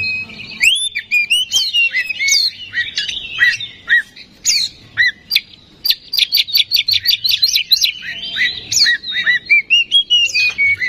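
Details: Lure song of an oriental magpie-robin to stir singing: varied whistled phrases, then a rapid rhythmic series of short repeated notes, followed by more sweeping whistles.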